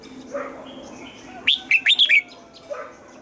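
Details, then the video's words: {'caption': "A red-whiskered bulbul in morning song training for the 'âm kép già rừng' double-note style gives one fast, ringing phrase of several whistled notes, with softer lower calls heard before and after."} "Luyện giọng cho chào mào hót sáng, ép chào mào hót âm kép già rừng hay tuyệt!"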